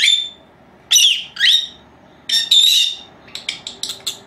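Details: Two pet female lovebirds, four months old, calling indoors while napping; harmonic whistled notes, some slurred and wavering, come in separate bursts, followed by a quick run of short high chirps near the end.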